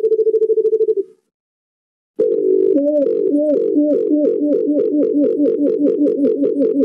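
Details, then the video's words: White-eared brown dove (alimokon) calling, used for trapping: a brief steady low note, a pause, then a rapid run of low, looping hoots, about two or three each second. "White eared Brown Dove Chirping | Huni nang Alimokon"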